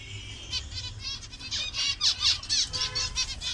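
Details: Zebra finches of several colour variations in a colony in Bangladesh, giving rapid, nasal, trumpet-like beeps, roughly two per second, several birds overlapping, over a low background rumble.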